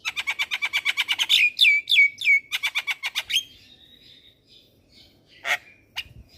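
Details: Lure song of a very vocal Javan myna for getting young birds to sing: a rapid even string of ringing chips, a few swooping whistles, then quiet with one scratchy note.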